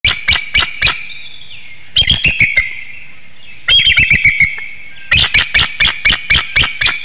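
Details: Eagle at a nest webcam in Hanover, PA, on 04-07-19 at 6:36 PM, crying out a warning as an intruder, possibly a juvenile eagle, passes through the woodlot: bursts of sharp, high chirping notes, about four per second, separated by brief quiet gaps.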